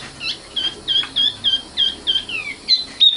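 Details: Luscinia megarhynchos, the common nightingale or sikatan londo: a brisk run of evenly spaced sharp whistled notes, some sliding downward, at roughly three per second, with faint low background hum.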